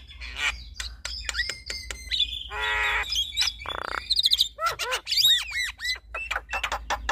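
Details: Duet of a male and a female Javan myna showing off their repertoire: clicks and short whistles, two long rasping buzzes, then a quick series of bright, arched whistled notes and sharp ticks.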